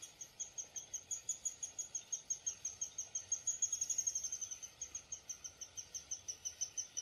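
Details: High, sharp chips from a Downy woodpecker repeat steadily about three times a second, with a brief faster, louder run near the middle; low hiss behind.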